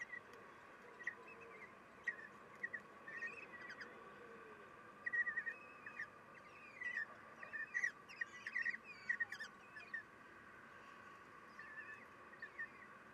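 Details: At a kestrel nest during a morning feeding on 3 June 2021, the female shifts position so she can reach all her young. Repeated shrill, wavering squeals cluster mid-recording, brief and irregular, above a constant low hum.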